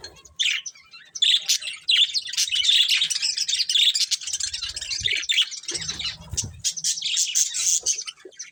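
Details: Colourful pet budgerigars chirping while eating: a dense, continuous high warble of overlapping chirps and chatter, briefly broken by a low rustling thud.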